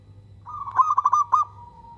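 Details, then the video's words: One phrase from a local zebra dove: a smooth sustained coo broken by four or five quick stuttering notes, then trailing off softly. "Perkutut lokal gacor bikin semua perkutut kepancing bunyi dan langsung NYAUT!!!"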